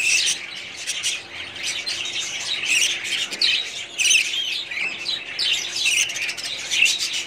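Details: Breeding colony of budgerigars recorded in 2017: nonstop chattering of many birds, high warbled phrases and harsh chirps overlapping, with loud peaks every second or two.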